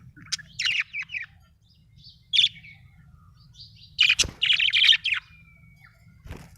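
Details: Cheerful budgie chirps ring out: quick high chirps early, then an isolated note, then a dense burst of loud chirping near the end with a thin drawn-out whistle fading after it, over a faint hum.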